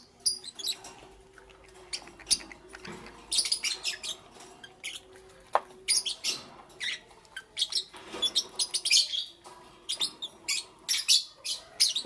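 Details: Several lovebirds chatter in the morning with dense, overlapping sharp high chirps and squeaks, fast and irregular throughout, forming a busy continuous twitter.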